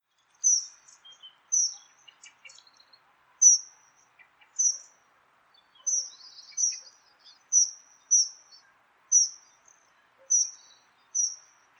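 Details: A Dunnock (Prunella modularis) recorded in the wild gives thin, very high piping notes, repeated every half-second to a second, against a quiet background.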